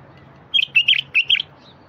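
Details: Bulbul song meant to stir silent wild bulbuls into singing; a single rapid phrase of four or five bubbly, warbling notes lasting under a second.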